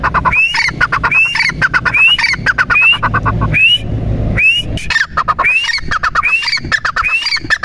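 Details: Repeated partridge (teetar) calls, rising whistled notes linked with scratchy clicking bursts, about one each second, briefly pausing midway, with low rumbling noise underneath.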